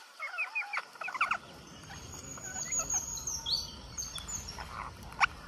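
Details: Squeaky, rapidly wavering calls from a green parakeet in India while it feeds, packed into the first second, followed by quieter scattered notes over faint background noise.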